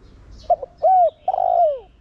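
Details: Spotted dove cooing in Thổ Đồng style as a lure to spur other doves: a brief stuttered double note, a smooth rounded coo, then a long, slightly trilled coo sliding down in pitch.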